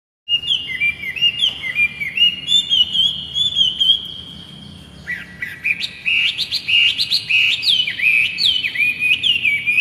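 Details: Captive laughingthrush (poksay hongkong) singing vigorously as a master recording for training young birds: long sustained whistled phrases, then loud repeated rising-and-falling whistles with bright overtones.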